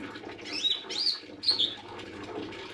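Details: Lesser green leafbird giving three quick, sharp whistled notes, each sliding slightly, in under two seconds, with a low background hum.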